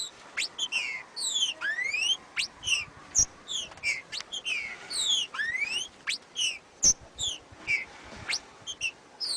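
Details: Macheado song of a green-winged saltator, known locally as trinca-ferro: a steady run of loud, clear whistles, with downslurred notes alternating with fast rising sweeps, about two short phrases per second, over a quiet background.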